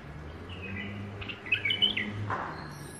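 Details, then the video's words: Pet female bulbul, tame, giving a brief warbled phrase of clear whistles that rise and twist, followed by a softer trailing note, with steady low hum behind. "تغريد بلبل أليف نثيه"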